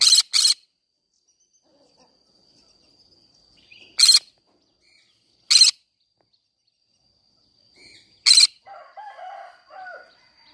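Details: Green-cheeked conure singing in a flower garden, giving loud, harsh, noisy screeches: a quick double burst, then single ones spaced a second or more apart, and finally softer, lower chattering notes trailing off. A faint steady high tone runs underneath.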